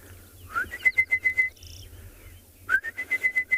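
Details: Orange-breasted Bushshrike calling far off in an October sunrise bird chorus at Tswalu Kalahari Reserve, South Africa: two clear whistled phrases, each a rising note running into about six quick, even, level whistles, a faint buzzy note between.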